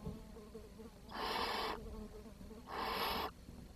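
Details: Barn owl chicks in their nest on 10 June 2023, now four left after the youngest starved. Two long, rasping hisses of over half a second each are separated by a short quiet gap.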